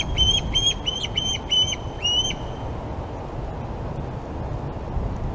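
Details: At the Glaslyn osprey nest on 26 August, with fish brought to two young, six quick, shrill, upslurred chirps ring out in under three seconds, followed by near silence and a low background rumble.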